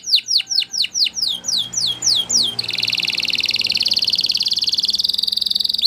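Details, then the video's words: Spanish Timbrado canary song opening with slow, evenly spaced downward-swept notes, then switching abruptly into a rapid, continuous metallic trill held steady to the end. "Canary Bird Singing !! Spanish Timbrado Song"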